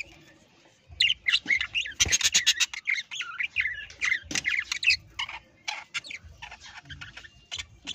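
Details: Parrots in an aviary setting burst into loud, scratchy squawks and chirps in quick irregular runs, bright and grating, with brief pauses between flurries and soft thumping underneath.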